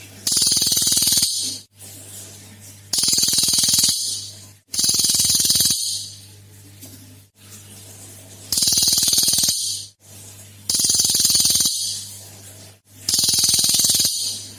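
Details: Energetic cililin song used as a lure to prompt other birds to sing: six rapid rattling bursts, each about a second long, repeated every two to three seconds over a constant low hum.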